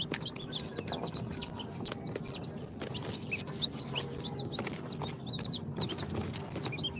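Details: Several day-two chicks hatched in an incubator, mixed Sultan, Golden Sebright, Cochin and booted breeds, keep up a dense chorus of shrill, quick falling peeps, several per second, with a steady background hum.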